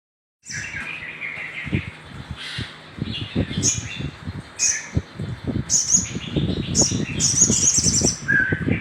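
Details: Little spiderhunter, used as a lure to stimulate other birds: high sharp notes near the top of the range, bursts of rapid ticking trills, and lower descending whistles, over heavy low thumping noise throughout.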